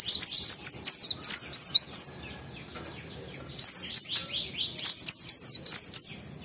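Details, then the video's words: Ngalas song of a kept Oriental white-eye, played as a lure to make other white-eyes sing: loud, fast strings of high downward-sweeping whistles in two long runs separated by a short pause. "Suara Burung PLECI Ngalas sambung wiksar Bongkar Isian memancing semua pleci cepat gacor buka paruh"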